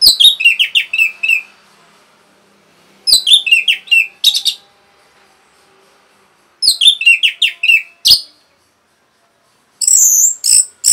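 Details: Orange-headed thrush with rapid song used to rile other birds, four bursts of quick descending chirps and twittering notes, each lasting one to two seconds, separated by silences.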